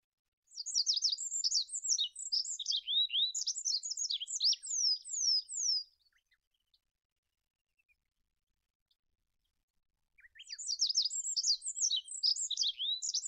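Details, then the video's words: Olive-backed pipit, Anthus hodgsoni, singing: two long bursts of rapid, high-pitched phrases mixing thin sweeping whistles, twitters and buzzy trills, each lasting about five seconds and separated by a quiet pause with a few faint ticks. "SUARA BURUNG APUNG ZAITUN MASTERAN"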